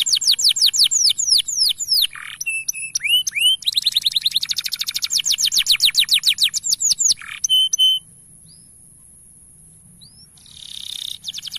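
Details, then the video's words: Male canary with a long continuous song meant to coach young canaries: quick swooping notes and rapid rattling trills, a pause, then a few thin whistles and a brief buzzy trill. "Kenari Gacor Panjang"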